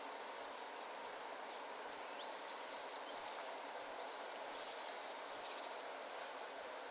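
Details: Family of spotted flycatchers calling with short, very high, sibilant notes spaced unevenly, around ten in seven seconds, plus a few faint lower trills amid steady background noise.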